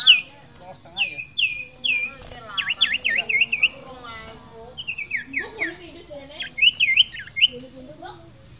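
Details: Common iora (Aegithina tiphia) in energetic fighter-style song: a lively string of high whistles, quick slurred notes and short rapid trills, some phrases repeated two or three times, with faint lower chatter underneath.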